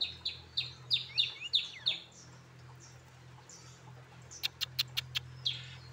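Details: Tame caged pet coconut hummingbird, a brown-throated sunbird raised by its keeper since childhood, gives a fast run of sharp, high chirps, about three per second, then pauses, ending with a few crisp clicking notes and another chirp over a low steady hum.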